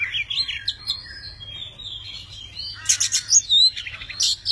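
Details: Tame Oriental magpie-robin in display song with wings and tail spread: soft warbled whistles at first, then a sudden loud run of sharp scratchy bursts and bright whistled slurs near the end.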